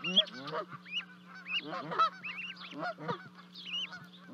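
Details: Canada geese at Charlo, Montana, on 12 May 2020 as two goslings leap from a 30-foot-high nest: quieter, scattered honks and upslurred notes with gaps between them, over a steady low hum.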